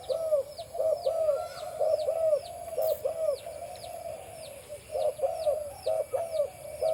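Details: Low paired coos from a breeding male spotted dove with a deep voice on a farm, repeated roughly every second in loose clusters. Dense high, sweeping chirps from many other birds fill the background.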